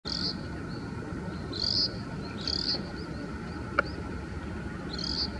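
Oriental greenfinch song: short, high twittering bursts spaced a second or more apart, over a steady low rumble and a faint constant hum.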